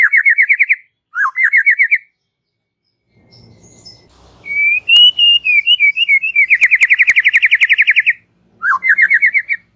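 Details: Relaxed chattering song of a white-rumped shama, meant for luring young and wild birds: buzzy rising trills, then a wavering whistled warble running into a long rapid trill, and another rising buzzy phrase.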